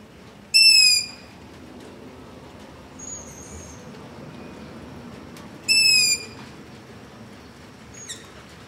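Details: Nighttime begging of long-eared owls close to a house, captured on a ZOOM H5 with LOM Usi Pro: two piercing, drawn-out squeaks roughly five seconds apart, each followed by a faint, more distant reply, with low steady hiss between.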